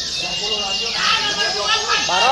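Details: Fighting-type canary (Serinus canaria) song used to provoke rival canaries and test their nerve: a dense, rapid, high chattering song of trills and rising notes, with a lower harsh voice-like sound mixed in.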